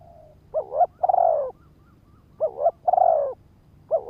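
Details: Lure spotted dove calling to draw in and provoke males; two full phrases of a warbling two-part coo then a long falling coo, with a third phrase beginning, spaced nearly two seconds apart.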